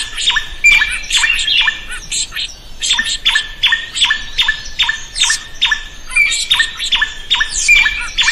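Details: Vigorous drongo song used to train other birds: fast, harsh, repeated hooked notes, a few each second, with occasional short whistled slurs woven into the steady chatter.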